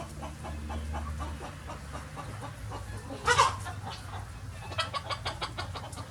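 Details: Free-ranging chickens of many breeds on a farm on a sunny day: soft repeated low clucks, then a sudden loud harsh squawk midway and a run of quick, sharp, evenly spaced clucks near the end.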